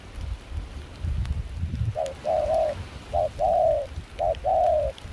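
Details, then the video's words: After low rumbling, a Spotted dove, wild-caught and kept as a trapping decoy with a mixed foreign voice in Kon Tum, Vietnam, during cold windy rain, gives three paired coos: a short hoot, then a longer mellow note. "Gác cu khi trời mưa gió se lạnh.bổi giọng pha nước ngoài chơi tốt."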